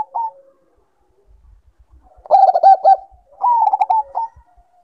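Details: Zebra dove, Bangkok-type perkutut, in breeding condition. A brief coo, then two quick rippling phrases of staccato cooing separated by a short pause, with a faint low tail note and a few soft thumps.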